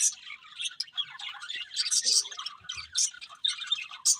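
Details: Pet budgies chirping in bursts of sharp tweets and scratchy squawks that rise and fall in loudness, with a few soft low knocks in between.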